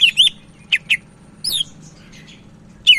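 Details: Sumatran leafbird from Medan, singing energetically as a tutor bird: quick high whistled chips and short rising slurs in scattered bursts separated by pauses, over a steady faint low hum.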